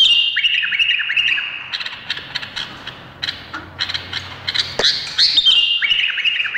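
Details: Indonesian bulbul delivering a fast, jumbled run of chirps and whistled downslurs, steady clicking notes repeated rapidly, with a faint low hum underneath.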